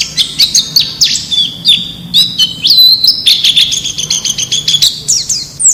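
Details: White-eye from the wild singing as a model for captive birds: lively, high twittering warble, mixing sweet level whistles with quick descending chips and rapid trills in a long unbroken phrase.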